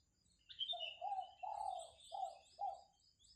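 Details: Spotted dove cooing: a short sequence of five mellow low notes, the middle one longest, with thin high chirps from another bird above.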